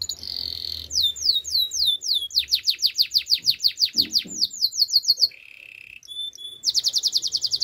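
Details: Domestic canary singing a training song: a buzzy trill, then repeated high swept whistles speeding into a fast run of downward sweeps, a lower buzzy roll, a pause, and a rapid high rattle.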